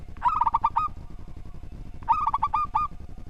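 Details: Singing local zebra dove with a well-structured voice, kept as tutor song for other birds. Two fast phrases of about six ringing, pulsing coo notes under two seconds apart, over rough low background noise.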